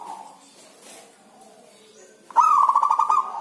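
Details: A zebra dove (perkutut) gives one short burst of rolling, staccato cooing near the end, a quick trilled phrase after near-silence; owner says the rainy season makes this bird reluctant to sing.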